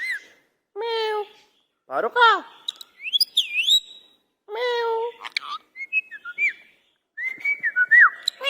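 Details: Pet Indian ringneck parakeet talking in an angry mood, mixing wavering speech-like syllables with sharp whistled notes and quick chirps in irregular bursts with short silences between them.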